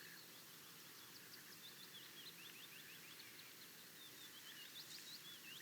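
Faint Willow Warbler song: soft, high, sweet notes slipping downward in a cascading phrase, heard twice over a steady hiss of background noise.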